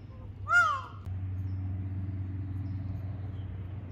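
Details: An Indian peafowl wandering about gives one loud, rich, harmonic call that rises then falls over about half a second. A steady low hum follows.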